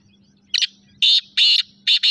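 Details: Kala teetar, the black francolin, giving four loud, rasping, buzzy notes. Each note is short and broad, spaced roughly half a second apart, with a faint low hum between them.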